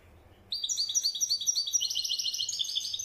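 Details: European goldfinch in widani-style song: after half a second of quiet, a continuous rapid stream of bright, high twittering notes, rising slightly and growing denser toward the end.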